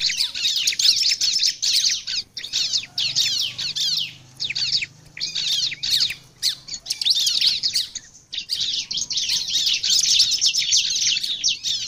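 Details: Bar-winged prinia singing actively as a lure recording: fast, high, scratchy chip notes in dense bursts of one to two seconds with brief pauses between them.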